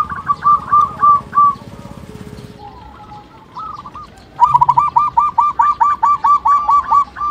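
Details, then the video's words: Local zebra dove calls used as a lure to set other birds calling: rapid runs of short, hooked cooing notes, first a quick burst, then a quieter stretch with faint background noise, then a loud, even series of about a dozen notes. "pancingan perkutut lokal"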